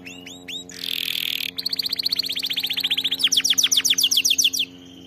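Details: Canary singing a tutor song for training other canaries: a few upswept notes, a harsh buzzy burst, then a long fast rattling trill that grows louder and slows into separate sweeping notes. A faint low hum sits behind.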